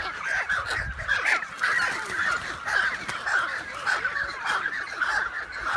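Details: Breeding colony of American white pelicans shared with cormorants on an isolated Canadian lake island, June 23, 2018, iPhone 7+ recording. Steady chorus of harsh, goose-like chattering from many birds, pulsing roughly twice per second.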